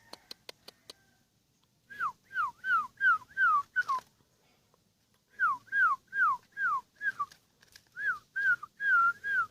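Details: Sooty-headed bulbul, ten years old and kept by an owner, delivering repeated downslurred whistles in bursts of five or six, separated by short pauses, after a few opening clicks.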